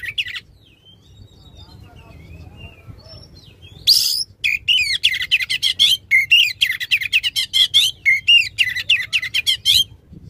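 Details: Oriental magpie-robin singing loudly to draw a stalled magpie-robin back into song: soft wavering whistles, then a harsh burst and a long fast stream of clipped, ringing chirps.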